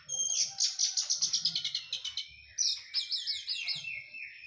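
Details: Post-moult Oriental magpie-robin in full song, a continuous stream of quick repeated high notes sliding downward, then a sequence of looping whistled phrases, with a low rumbling background underneath.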